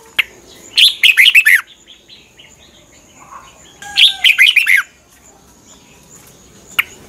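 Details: Red-whiskered bulbul singing its morning training song, used as lure song for other bulbuls. Two brief bursts of fast, tumbling whistled notes, each falling in pitch, separated by about three seconds, then a single sharp note.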